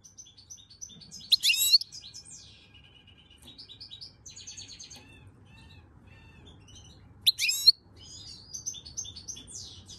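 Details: European goldfinch in song, May 2022: scattered liquid twitters, short whistled notes and two loud, sharp trilled bursts, with a soft rumbling hum throughout.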